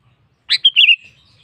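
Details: Sooty-headed bulbul singing vigorously to call a rival, one short phrase opening with a scratchy burst, then clear liquid whistles that slide down and fade into a thin trailing note in near silence.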